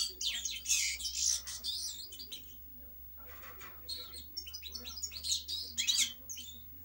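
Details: Lively European goldfinch song: rapid bursts of high, sparkling twitters and trills, about two phrases per second at times, separated by a short quieter gap, over a low steady hum.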